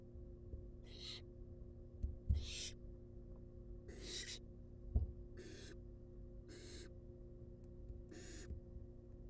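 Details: Nest-box barn owl chicks, wild, being fed: six noisy hissing snores spread over nine seconds, with a couple of dull thumps and scuffles between them and a background hum.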